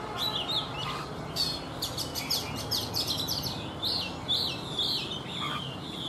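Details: Caged Oriental magpie-robin, an old bird taken from the wild and kept three seasons, singing in the morning: a continuous rich stream of sharp high chips, rattles and sliding whistles over faint low hum.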